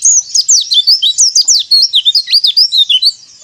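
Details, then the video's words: Lure recording of white-eye song, played so caged white-eyes sing readily: a fast, unbroken stream of thin, high twittering notes, each sweeping up or down, in dense chattering phrases. "PANCINGAN PLECI AGAR RAJIN BUKA PARUH"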